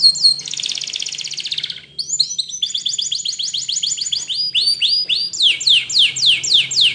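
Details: Spanish Timbrado canary training song for teaching canaries to sing: high rapid trills shifting phrase every second or so, a fast buzzy roll, then a long rattling series, then sweeping downslurred notes about twice per second, over a faint low hum.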